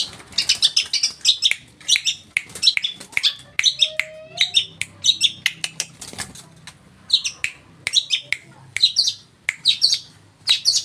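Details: East Javan Long-tailed Shrike, a tame singer used as a lure for other shrikes: bursts of harsh, high squeaky phrases separated by brief pauses, with sharp clicks and a faint low hum in the background.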